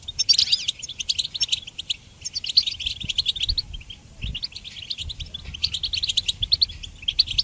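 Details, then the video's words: Goldfinch song for training songbirds, given in bursts of fast, high chattering phrases separated by short breaks of a second or so, each burst bright and tinkling. "Goldfinch Song Training"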